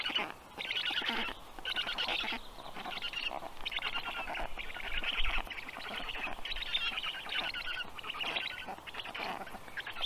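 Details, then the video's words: Three black stork storklets being fed on the nest in the evening of 15 June 2022; near-continuous rough, rasping chatter in broad bursts with brief pauses. "Must-toonekurg2~Dinner for the storklets"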